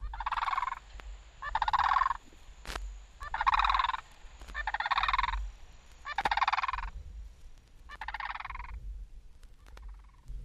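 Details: Sandhill Crane from a 1961 guide to eastern and central North American bird songs, giving loud, rolling, rattling bugles, about six long calls spaced a second or so apart, with a steady low hum underneath.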